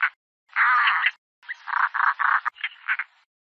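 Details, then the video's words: European roller giving harsh, rasping kraw calls: one long grating note, then a string of shorter croaking bursts in quick succession. "European roller calls"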